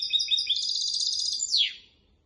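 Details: Goldfinch and canary hybrid song used to tutor goldfinches and canaries: quick, high chirps run into a steady, even trill. It ends in a sharp, downward-sweeping whistle, then silence.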